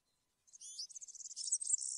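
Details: Short snatch of European serin song in the campero style, a high, wiry, rapidly jingling twitter starting after half a second of silence and running to the end.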